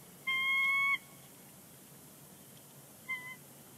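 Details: Bald eagles vocalizing on their Big Bear Lake nest, 30 January 2020, before flying off; a loud, even whistled note lasting under a second, then a brief, fainter reply two seconds later.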